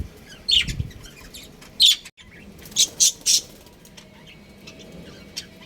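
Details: Pet budgerigar breeding pair chirping: short bright chirps in bursts, one near the start, another around two seconds, then three quick chirps close together, with quiet gaps and faint low background hum.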